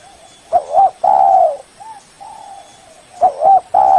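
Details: Lure call of a spotted dove, used to summon a rival: a quick double coo and a long loud level coo, followed by soft low coos, the same loud phrase returning after about two and a half seconds.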